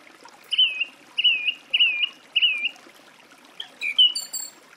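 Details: Song thrush repeating a fluting, wavering whistle four times at even intervals, then switching to a higher, twittering phrase with sharp overtones; faint background hiss.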